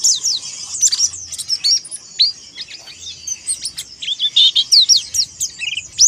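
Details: A Monty Oriental white-eye sings ngalas to call out rivals, pouring out high, squeaky, downslurred chirps and trills at a rapid, irregular pace, with a brief fluttering sound.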